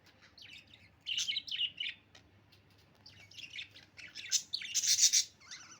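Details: Pet budgerigars chirping in the morning: bursts of scratchy, warbling chirps and squeaky twitters, busiest between one and two seconds and again from four to five and a half seconds, with a low steady hum underneath.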